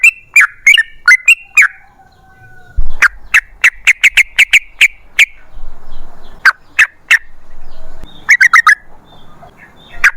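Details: Yellow-vented bulbul, recorded as a lure to prompt other birds to sing, giving bursts of short, sharp chirping notes in quick rows separated by brief pauses.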